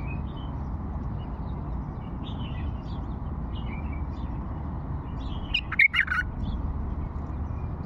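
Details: After a long quiet stretch of low background hum, an old bulbul from Fao bursts into one short, rich warbling phrase of several rapid notes near the end.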